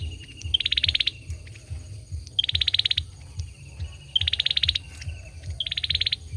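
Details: Four dense, shrill trills from a male olive-backed sunbird, each about half a second of fast repeated pulses after a short lead note, coming roughly every 1.5 to 2 seconds against low background rumble.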